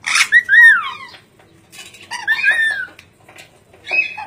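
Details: Ornate lorikeet giving warbling, arched whistled notes mixed with rasping squawks, in three separate bursts with short pauses between.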